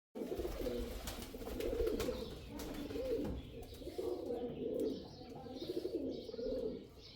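A male pigeon gives low, throaty rolling coos in repeated bouts roughly every second or two, with faint background noise.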